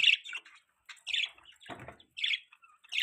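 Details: Pet budgerigars chirping: short bursts of scratchy, warbled chirps in clusters about a second apart, with a soft rustle in between.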